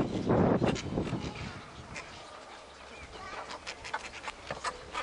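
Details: Cattle egrets at a breeding colony at Inkamana near Vryheid, 12 November 2007; a loud, harsh, rasping burst opens the recording, followed by quieter scattered clicks and calls from the colony.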